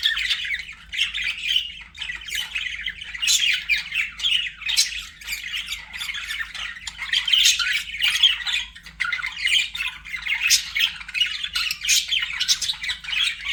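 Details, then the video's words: Several pet budgies squawk and warble continuously, a harsh, grainy chatter broken by sharper loud calls every few seconds. "BUDGIE SOUNDS"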